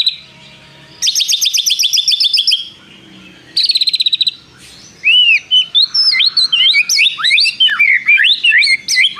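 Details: Caged white-rumped shama in full, energetic song with mimicked phrases: two fast high rattling trills separated by a short pause, then a long string of varied, sweeping whistled notes.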